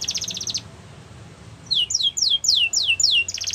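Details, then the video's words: Canary singing a training song: a brief rapid trill, a short quiet gap, then six loud descending slurred notes at an even pace and another trill. "Canary's Most Powerful Song For Training"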